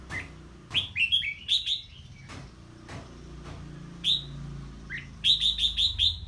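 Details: Red-whiskered bulbul reacting to an unfamiliar bird: sharp whistled phrases and scattered clicks, ending in a rapid run of five or six bright repeated notes, over a low hum.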